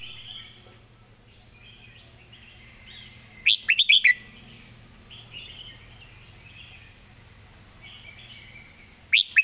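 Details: Red-whiskered bulbul, a competition singing bird, performing a master song with clear phrasing: a loud burst of quick, warbled notes near four seconds and another at the end, over faint chirps of other birds in the background.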